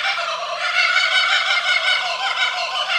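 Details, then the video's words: Laughing Kookaburras, Australian birds, in a loud, raucous chorus of rapid, rolling cackles and hoots with no pause in the din. "Laughing Kookaburra Sound"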